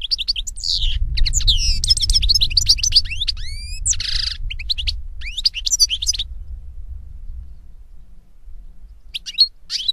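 A European goldfinch sings a rapid, tinkling twitter of high liquid notes with a brief nasal buzz, over a low background rumble.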